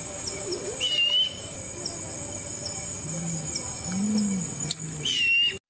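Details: Brown fish owl (Ketupa zeylonensis) giving deep, soft booming hoots in a short series, under a steady high insect drone, with a thin whistled bird note and faint music.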